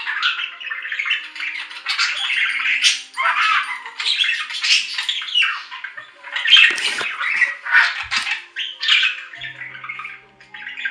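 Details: Budgerigar chatter, a steady stream of scratchy warbled notes and sharp squawks, with a few faint low clicks.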